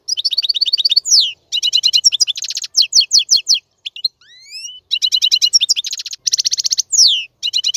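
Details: Male European goldfinch singing to tutor chicks: long runs of fast twittering and buzzy trills, a brief pause with two rising drawn-out whistles, then more rapid chatter and falling slurred notes.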